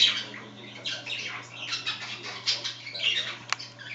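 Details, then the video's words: Pet budgerigars chattering indoors while another scratches itself: soft, continuous warbling chatter of raspy chirps and clicks over a steady low hum. "Mina undulater snackar och kliar sig"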